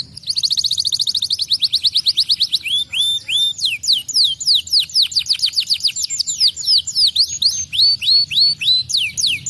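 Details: Vigorous domestic canary song used as a lure song: opens with a fast, even trill of high notes, then shifts into long runs of sweeping, downslurred whistles repeated rapidly and steadily, bright and piercing throughout, with no other sounds.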